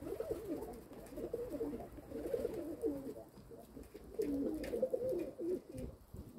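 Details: Domestic pigeons cooing in a steady, rolling stream. The murmured, wavering coos overlap one another almost without a break over a dull low rumble.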